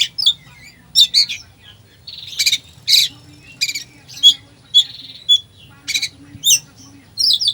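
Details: Oriental magpie-robin in 'full isian' song used to stir up a slow bird: scattered sharp high chirps, short buzzy trills and brief clear whistles, spaced with short pauses.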